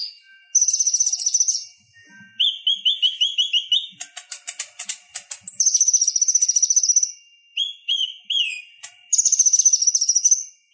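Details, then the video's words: Purple-throated sunbird, known as konin, singing to tutor other songbirds: long very high rattling trills alternate with lower quick slurred notes and a burst of sharp rapid clicks. "Suara Ocehan Konin Gacor Tajam Ampuh Buat Masteran Kolibri Ninja"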